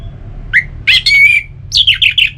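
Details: Caged Orange-headed Thrush singing, a recording meant to prompt kept birds into song: a short rising note, a sustained bright whistle, then four quick falling slurred phrases.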